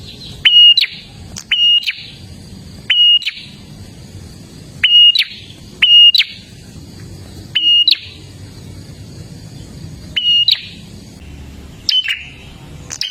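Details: Loud chattering song of an olive-backed tailorbird, a recording meant to get caged birds singing: repeated sharp high whistles with buzzy tails, around ten phrases spaced one to two seconds apart.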